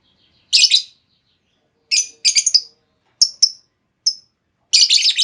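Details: Lure call of a female lovebird, meant to set other lovebirds off into long trilling: shrill, grating chirps in irregular bursts, some single sharp notes, others clustered into rasping rattles, in otherwise quiet surroundings.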